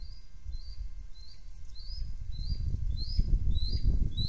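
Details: Bald eagles, a trio at their nest on a nest camera during a hurried visit with no threat seen: a series of high, thin, rising chirps repeated roughly every half second, with rustling and flapping noise growing louder beneath.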